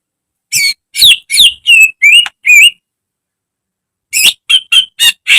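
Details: Caged greater green leafbird used as a training recording for other caged birds, giving loud harsh bursts and whistled notes in two quick series separated by a pause of about a second and a half.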